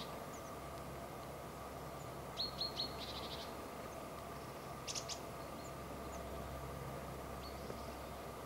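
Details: Eurasian blue tit calling, recorded on a Sony HDR-PJ10E camera: three quick high thin notes followed by a short buzzy run, then a couple of very high sharp ticks, with a constant low background hum.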